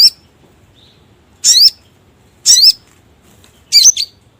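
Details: Sogon bird calling as a lure for trapping: sharp, high, scratchy upslurred notes given singly, about once a second, with quiet gaps between them.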